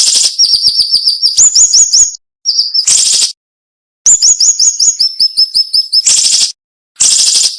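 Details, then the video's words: Siri-siri (cinnamon-bellied flowerpecker) song, described as sharp, dense and with short pauses: rapid series of thin, high chirps, some upslurred, in shifting trains, broken by loud harsh bursts and brief silent gaps. "MASTERAN SUARA BURUNG SIRI SIRI NEMBAK TAJAM"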